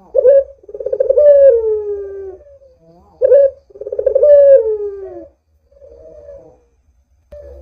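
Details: A Barbary dove singing readily, used as a calling lure: short rolling coos leap into sustained, slightly falling hoots, repeated about every three seconds, with a quieter wavering coo near the end.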